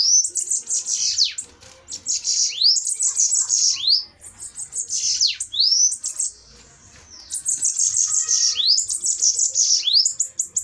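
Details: Fiery bananaquits in a fighting duel: high, buzzy, hissing trills, each led by a sharp rising upswept note, repeated in dense phrases about every one to two seconds, with a short pause midway.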